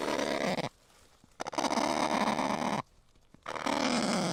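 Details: Kakapo (Strigops habroptilus) producing long hoarse, breathy grunting rasps lasting up to a second and a half, separated by brief quiet pauses.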